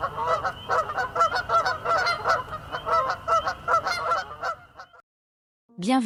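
Canada geese honking loudly and raggedly, several birds overlapping at about two to three honks a second, then a brief pause before another call.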